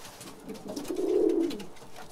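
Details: Single low, throaty pigeon coo from birds kept in a cage indoors, a soft rising murmur that swells into a steadier, louder rolling note before fading.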